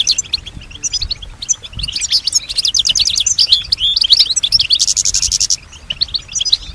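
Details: European goldfinch, a kept female, described as imitating surrounding sounds such as other birds and human sounds: a loud, continuous tumble of high twittering, fast trills and buzzy, liquid notes.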